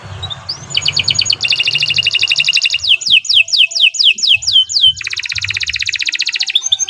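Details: Canary song used for training: after a quiet start, steady high trills, then a run of loud falling whistled notes, ending in another long even trill, with soft low background noise.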